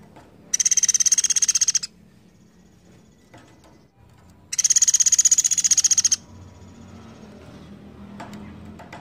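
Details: Java sparrow delivering long rapid trills: two high, metallic bursts of quickly repeated clicking notes, each over a second long and about three seconds apart, with faint background rustling between them.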